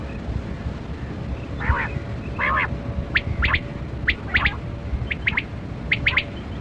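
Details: A kali kirak quail gives two harsh squawky notes, then quick sharp chirps in clusters of two or three about once a second, over a steady low rumble; used as a sound for quail hunting.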